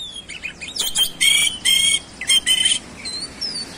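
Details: Short oriental magpie-robin phrase of quick chirps followed by several loud harsh buzzy notes in a row, then thin descending whistles fading out.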